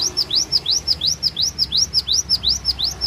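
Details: At Takengon in Aceh Tengah, Indonesia, a cinereous tit gives its full song repertoire as crisp, evenly spaced rising whistles, roughly three per second, clear and loud above a quiet background.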